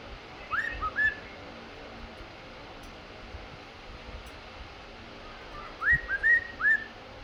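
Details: A male cockatiel whistles at a female during his courtship dance, giving two bursts of bright, slurred whistles that rise and fall in quick phrases.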